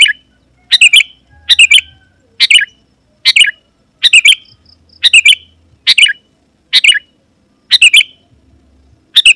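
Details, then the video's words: Sooty-headed Bulbul singing steadily to call opponents, wild birds said to reply and approach: eleven short liquid chirp phrases, nearly one per second, each ending in a rolling downward twist; faint low hum now and then. "Suara Burung KUTILANG GACOR Memanggil Lawan Burung Kutilang Liar Auto Nyaut dan Mendekat"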